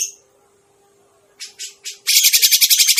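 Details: Grey-cheeked bulbul lure call: a faint note, a pause, three hissy bursts, then an abrupt, loud, grating chatter of quick even pulses, with a low hum in the background.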